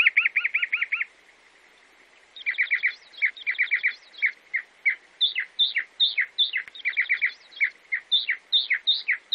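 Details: Sabiá-do-campo, the chalk-browed mockingbird of Brazil: a short rapid trill, a pause, then varied phrases of quick chirps and sharp downslurred notes, often repeated two or three times.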